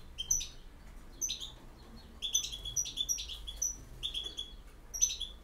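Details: Campero-style song of a European goldfinch: spaced, bright, high tinkling notes, each with a thin whistled tail, given in loose groups with short gaps between.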